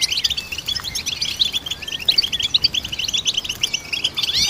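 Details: Goldfinch song used to train songbirds, a continuous stream of quick, high tinkling notes and twitters at even loudness, with a few thin slurred calls and a soft background hiss.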